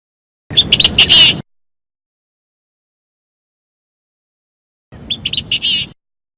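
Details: Vietnamese trapping recording of a Chinese francolin decoy: two one-second phrases of rapid, grating, stuttered notes, four seconds apart, the second slightly quieter, with complete silence between them.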